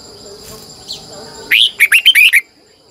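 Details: Morning song from a Red-whiskered bulbul lure bird in twisting double-voiced style: an upswept whistle then a rapid string of five lilting notes, steady high drone throughout.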